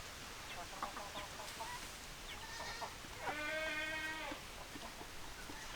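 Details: Chickens clucking and crowing: irregular short, clipped clucks open the clip, then a sustained, even harmonic call of about one second, then more scattered clucks. Low steady background noise.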